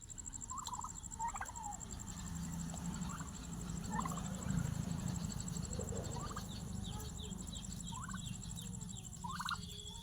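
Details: Turkeys at feeding time, giving short, clipped calls that are repeated irregularly throughout. A steady low rumble of background noise runs underneath, and a thin constant high tone is also present.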